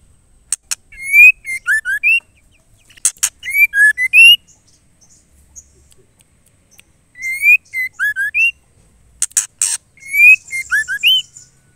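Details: White-rumped shama female calling to the male, used to stir caged males into singing: sharp ticks followed by a sequence of clear whistled slides, the phrase repeated three times with quiet gaps.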